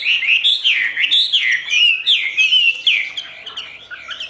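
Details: Chinese hwamei kept as a cage bird, its song labelled "ngũ trường": a loud, continuous run of looping whistled phrases that rise and fall, with sharp high flicks between them and a slight fade toward the end.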